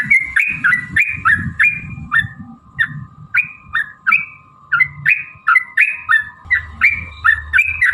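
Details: Sooty-headed bulbul in long, fast 'ropel panjang' lure song: crisp whistled notes, rising and falling, repeated about three times a second, over a faint steady hum and low noise.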